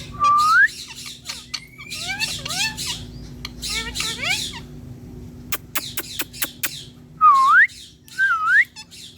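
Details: Green Indian ringneck (rose-ringed parakeet), a talking pet perched on a plant, gives loud rising whistles and raspy, chattering speech-like squawks, with a few sharp clicks in between.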